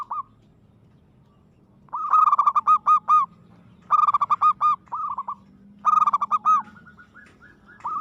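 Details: Aggressive zebra dove song: loud phrases of quick bubbling, rolled coo notes, six to eight pulses each, repeated about every two seconds, with shorter trailing phrases between.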